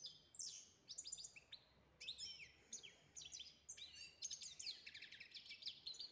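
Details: Goldfinch song: quick, tinkling high notes and liquid twitters tumbling out in continuous lively phrases, with crisp short chirps layered throughout and a quiet background.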